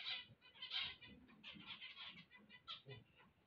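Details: Zebra finches singing on waking: dense bursts of nasal, buzzy harmonic notes, fast and irregular, overlapping in a busy chatter with brief dips between phrases.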